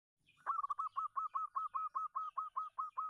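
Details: Local zebra dove singing from its perch as a champion lure bird: a fast, even run of about thirteen short, clipped coo notes, each with a slight downward bend, spaced roughly every fifth of a second.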